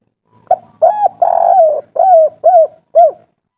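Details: Wild-voiced local spotted dove in agitated 'kuk 3' mode, used to provoke replies from other doves. A quick note, a rounded coo, and a long trembling coo end in a run of three soft falling coos, sung cleanly.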